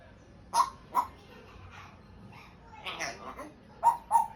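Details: Pet African grey parrot trying to speak: two short, sharp squeaky notes, a soft murmured speech-like passage, then two more abrupt squeaks, in a quiet indoor setting.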